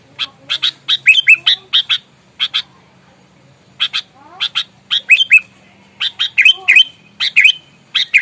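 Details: Sooty-headed bulbul in fighting mood, a lure bird provoking rivals, utters loud clusters of sharp chips and bubbly slurred whistles, with a pause of silence in the middle before an excited final burst.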